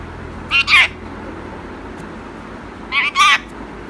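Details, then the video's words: Urdu-speaking pet Indian ringneck parrot, a tame male, utters two short paired bursts of raspy, speech-like syllables about two and a half seconds apart, with near silence between. "Assalam alaikum (السلام عليكم) | Cute urdu speaking Indian Ringneck Parrot"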